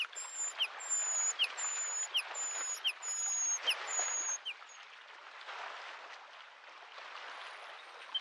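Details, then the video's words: Bluethroat song in spring beside a lake: a steady series of very high, thin, drawn-out whistles paired with short lower slurs, repeated about once per second, with lapping waves throughout. "The sound of waves and the singing of the bird Varakushki"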